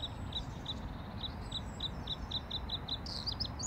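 A bluethroat sings a string of short, high, ringing notes about three per second, ending in a quicker, higher twittering flourish, over a steady low rumble.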